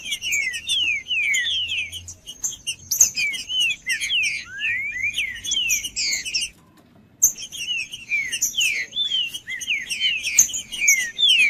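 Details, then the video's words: Green-winged saltator in full song, used to warm up a cold bird: rapid rich whistled phrases of swooping, slurred notes pour out continuously, break off briefly near the middle, then resume just as fast over a faint steady high whine. "TRINCA-FERRO CANTANDO/ESQUENTAR TRINCA FERRO FRIO"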